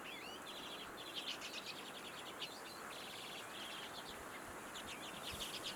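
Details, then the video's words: Common redpoll uttering bursts of fast, high, dry chattering notes in loose groups across the recording, against a constant low hiss. "Auðnutittlingur - Redpoll"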